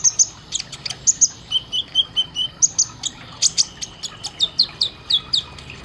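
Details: Kolibri ninja sunbird training song: sharp high-pitched chips repeated steadily about three per second, broken by a short run of lower whistled notes, clean with no other sounds.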